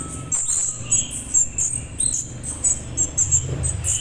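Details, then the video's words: Calls of a juvenile orange-headed thrush, suited to provoking adults to respond: clusters of piercing high chirps in uneven groups, occasional lower whistled notes, and a low humming background. "suara trotol anis merah cocok buat merespon anis merah dewasa"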